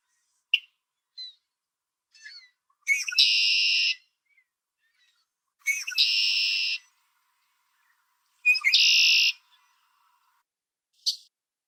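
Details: A red-winged blackbird in Ontario, Canada sings three times, each a few sharp clicking notes then a harsh, buzzy trill about a second long, spaced every few seconds; finding: Red-winged Blackbird.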